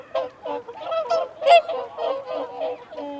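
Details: Whooper swans, in a recording of feeding and territorial calls, give loud, bugling honks, several birds calling over one another in quick overlapping bursts roughly every half second.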